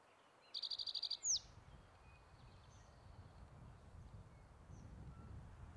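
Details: A single song from a male spotted towhee holding territory at Metcalf Wildlife Management Area, Nebraska, May 23, 2023: a short, rapid series of high pulsed notes followed by one falling slur. Low rumbling background noise afterwards.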